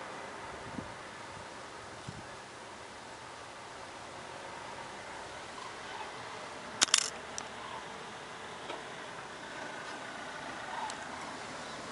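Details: Steady outdoor hiss and faint rumble, with a sharp camera shutter click near the middle; no animal calls stand out.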